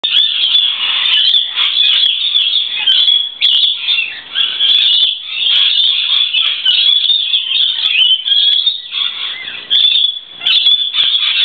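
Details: Many lorikeets on a verandah on a wet day, sheltering from the rain: a dense, continuous chorus of shrill, screeching and chattering calls with no pauses.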